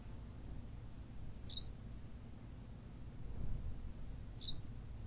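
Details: Two crisp, high-pitched chirped calls of a Berthelot's pipit, La Gomera in the Canary Islands, about three seconds apart, with a low continuous rumble underneath.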